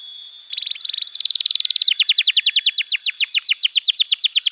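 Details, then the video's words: Vigorous canary singing, used as therapy for canaries that stopped singing: two short buzzy trills, then a speeding run of sharp descending chirps, about four each second. "Pancingan Suara Kenari Gacor‼️ Ampuh untuk Masteran Kenari Muda dan Terapi Kenari Macet Bunyi"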